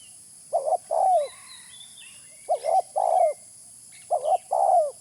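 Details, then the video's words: Spotted dove lure call: three evenly spaced phrases of low, hollow cooing. Each phrase has a brief double note and then a sustained note curving down. The phrases come roughly every one and a half to two seconds, with faint background chirps. "Suara pikat terkukur original"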